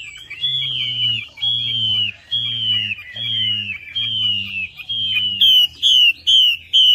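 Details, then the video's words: Chinese hwamei (melodious laughingthrush) song used as a lure: a clear, slurred whistle falling slightly, repeated roughly every 0.7 seconds about seven times, then shorter, higher ringing notes at the end, over a low steady hum. "PANCINGAN WAMBI MACET"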